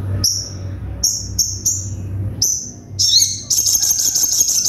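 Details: Ruby-cheeked sunbird (sogon) song in a full 'tembakan' style meant to draw a quick response: short high thin whistled notes spaced about a second apart, then a dense, sharp, high trill, over a steady low hum.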